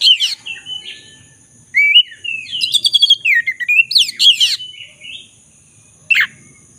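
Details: Black-throated magpie-robin singing energetically, used as a lure to restore a bird that has stopped singing; varied whistled and slurred phrases with harsh chattering bursts, sharp downward notes and a final strident note, steady faint electronic hum behind.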